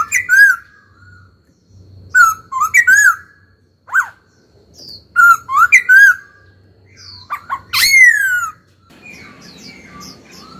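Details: Trained caged laughingthrush in full song: repeated bursts of loud, mellow whistled notes that rise and fall, spaced a second or two apart. A sharp descending squeal near the end is followed by softer chattering notes.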